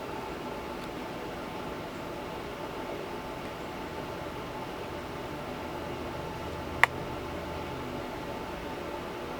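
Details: Even broadband hiss runs throughout, broken once by a single sharp click near the end, and no animal voice is heard.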